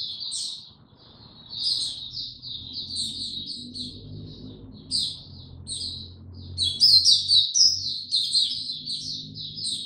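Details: Oriental white-eye singing slow and easy on 2 May 2022: scattered high chirps and short warbles become a dense, loud twitter toward the end, with a low hum and faint music underneath.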